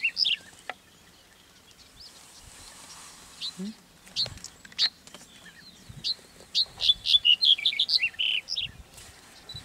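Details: Black-headed bunting (Emberiza melanocephala) singing in May 2010 at Eastriver, Skala Kalloni, on Lesbos, Greece. Scattered high notes and knocks lead into a jumbled, rapid phrase of bright chirping notes that builds toward the end. Faint low background noise.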